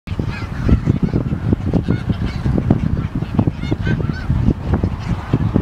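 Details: Wintering flock of snow geese in Dare County, North Carolina, USA, on January 23, 2017: dense, overlapping nasal honks and yelps from many birds at once, a continuous chattering din with bright harmonic calls rising above a low rumble.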